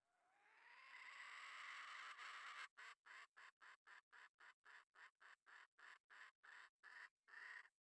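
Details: Red junglefowl hen calling the male: a sustained, slightly rising hoarse note for almost three seconds, then a steady run of short clipped notes about four per second.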